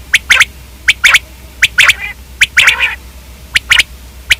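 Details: Common quail giving sharp, abrupt double and triple notes in irregular bursts, with one rougher, rasping lower note partway through, over a steady low hum.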